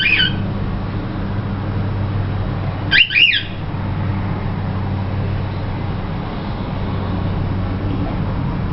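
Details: A young cockatiel just beginning to sing gives two brief, harsh, rising chirps about three seconds apart over a steady low indoor hum.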